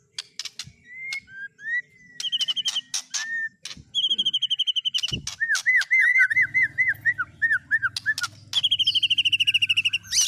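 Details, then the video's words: White-rumped shama song with mimicked fill-in phrases of speed cililin, canary and lovebird: sharp clicks, slurred whistles, then a fast run of looping chirps and buzzy notes, over a low steady hum. "Burung Murai Batu MU KURANG GACOR., BONGkar Isian speed cililin, kenari, love bird Dll..!"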